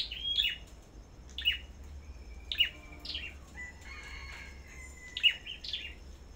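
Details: Sâu Đầu Đỏ songbird at a bird farm, singing in a contest: sharp high chirps spaced a second or two apart, with softer thin notes and quiet hum between.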